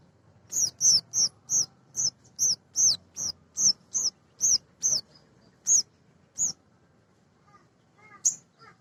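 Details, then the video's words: Male sogon, a small nectar-eating sunbird, used as a lure to stir other sogon birds into singing; a fast run of sharp, high chips about three per second, slowing and fading at the end. "Suara Sogon jantan asli"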